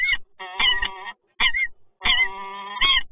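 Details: Resident peregrine falcons meeting at a power plant in Toruń, Poland, on 26 August 2022. Harsh, nasal calls come in short bursts and longer drawn-out wails, with gaps of silence between them.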